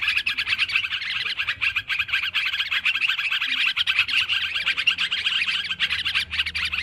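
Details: Sooty-headed bulbuls chattering loudly together in a lure recording, many birds overlapping in quick repeated chirps and warbled notes, rhythmic surges about every half second.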